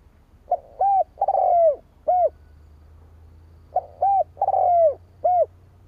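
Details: Lure call of a spotted dove for attracting rival doves: two phrases roughly three seconds apart, each a quick soft note, an arched hoot, a long harsh descending coo and a final short hoot, over a low hum.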